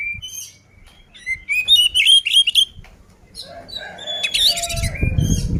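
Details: Oriental magpie-robin singing in a fighting style used to provoke other birds, with loud whistled notes around 3-4k repeated rapidly, harsh buzzy bursts, and low rumbling background noise near the end.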